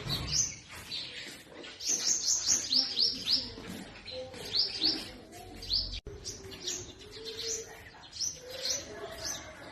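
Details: Purple sunbird in spring in north-west Pakistan, singing from forest trees. Dense bursts of rapid, high rising chirps tumble together in quick runs, with lower faint notes and background hum beneath.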